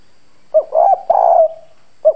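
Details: Spotted dove used as a decoy, with a hoarse, husky country-style voice, cooing hard to lure and provoke wild doves: a short low coo, then two longer rough hooting notes, followed by another brief coo.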